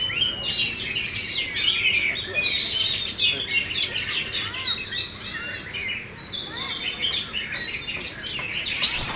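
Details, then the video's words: Champion caged Oriental magpie-robin in full tail-open display: long run of fast, varied whistles and scratchy notes. Several clear rising slurs, a brief dip near the end, then a loud sharp final note. "KACER BUKA EKOR FULL DAN JUARA"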